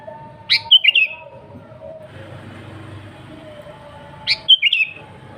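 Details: Sooty-headed bulbul in energetic song, unmixed and aimed at luring wild bulbuls. Two bright phrases of three rapid chirps each come nearly four seconds apart, with soft lower whistling and light background noise between.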